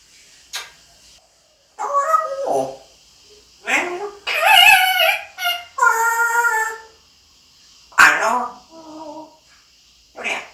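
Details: Pet parrot talking indoors: a run of short, speech-like, high-pitched utterances with bright stacked harmonics, some drawn out and whistle-like, separated by brief pauses, with a faint steady high hiss underneath.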